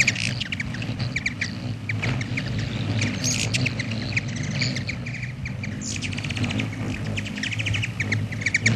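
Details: Black-chinned hummingbird visiting a feeder: continuous sharp, dry chips and twittering trills, some bursts rapid and rattling, with constant low-pitched background rumble throughout.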